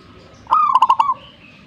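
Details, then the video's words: A zebra dove gives one short burst of song: a mid-pitched coo breaking into four or five quick pulsed notes and ending in a soft trill, against a quiet background. "gacornya perkutut ini"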